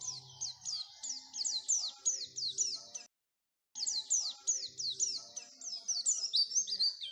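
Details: Caged-bird training lure of Oriental white-eye song: quick high descending chirps run in bursts, break for a brief silence, then resume in a busier, higher twitter, over a faint low humming tone.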